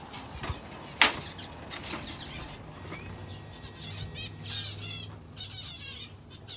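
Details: Finches kept in an aviary alongside a canary give scattered short high chirps, building into a quick rattling run of notes near the end; one sharp click early on and steady low background hum.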